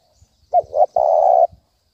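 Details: Single thúc bổi phrase from a spotted dove, used as a trapping lure: a short coo, a second rising note, then one long, steady, hoarse coo lasting about half a second.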